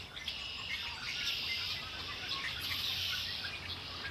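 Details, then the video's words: Lakeside birdsong at Lake Erie, with continuous high-pitched twittering from many birds and scattered short whistles rising out of the chorus. "Birds singing by Lake Erie"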